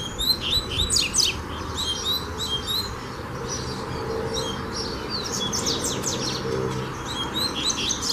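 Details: Coleiro, the double-collared seedeater, in song training: fast runs of sharp, high chirps and trilled notes delivered in clustered phrases with brief gaps, against constant low-frequency rumble.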